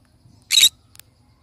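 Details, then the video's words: Pineapple conure, a pet parrot, giving one short harsh squawk of about a fifth of a second, broad and raspy, followed by a faint click in a quiet room. "Pineapple conure sounds"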